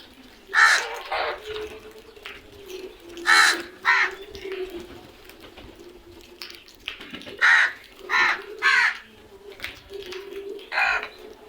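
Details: Crows cawing repeatedly, loud raspy calls in irregular runs of two or three across several seconds, softer notes and background hum between bursts.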